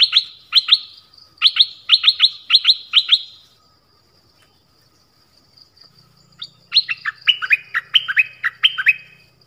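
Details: Double-style song of a nok dok taeng for young birds to imitate: first sharp paired whistles in quick runs, then after a pause a longer warbling phrase of falling notes, with a low hum underneath.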